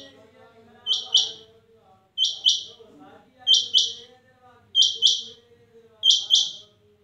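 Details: Rain quail female giving its call, locally Chinga Madi: a crisp, high, doubled note, two quick chips close together, repeated regularly about every 1.3 seconds over a faint murmur of voices.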